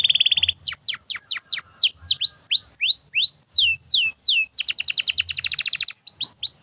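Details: Canary in continuous song, offered as a model for training other birds: a brief buzzy trill gives way to a series of loud, steeply falling whistled notes, then a rapid rattling trill and more quick sweeps.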